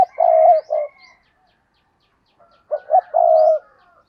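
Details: Two cooing phrases from a decoy spotted dove used to attract wild doves. The first is a long coo with a short tail note. The second opens with two short notes before the drawn-out coo. A higher bird call overlaps faintly.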